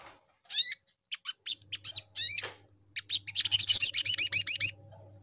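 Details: Lure call of the sogon, or spiderhunter, played to provoke a reply from others. Scattered sharp high chirps come first, then a fast run of ringing, buzzy notes lasting over a second.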